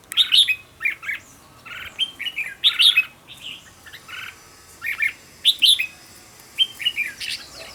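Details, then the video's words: Red-whiskered bulbul decoy bird in training for a fast, strong song; crisp whistled notes in short clear phrases separated by brief pauses, loud accented bursts recurring every second or two. "Cách luyện chào mào mồi - Hót hay nhanh lửa, Căng"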